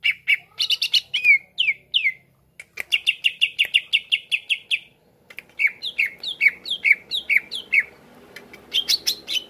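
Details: Lively greater green leafbird song for stirring other leafbirds to sing: dense rapid chirping trills, a brief gap, then a regular series of downward-sweeping whistled notes and a closing burst of high chatter.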